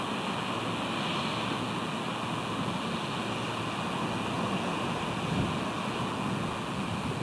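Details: Continuous even roar of wind or surf-like noise with no distinct calls.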